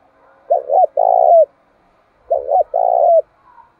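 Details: Spotted dove used as a decoy to stir up rivals, cooing twice: each phrase a pair of short soft notes then a longer even hoot that tails off downward.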